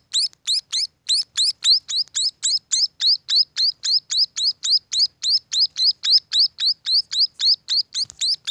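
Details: Loud, even series of high upslurred chirps from munia chicks, around three and a half per second, very regular throughout, with a small thump near the end.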